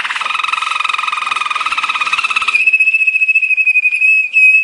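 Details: Waterslager canary training song, soft and bubbly like rolling water: a rapid pulsing trill for two and a half seconds leading into a long, steady, pure whistled note.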